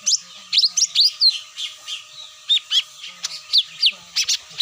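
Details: Cucak mini lure call used to bring birds down, a fast run of sharp rising and falling chirps and short whistles, about three notes a second, over a steady faint hum.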